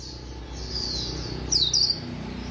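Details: White-eye singing quickly: a brief high, thin warble with a couple of sharp bright twitters near the end, over a low hum.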